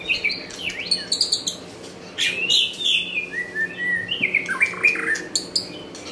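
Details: White-rumped shama from Nakhon Pathom, Thailand, singing clear, varied whistled phrases that rise and fall, with sliding notes and short bright bursts separated by brief pauses.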